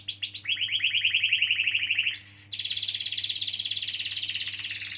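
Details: Long rolling canary song intended to prompt young canaries or ones that stopped singing. A few sweeping notes lead into a rapid, even trill, a brief rough burst, then a higher, extended buzzy roll, with steady low hum throughout.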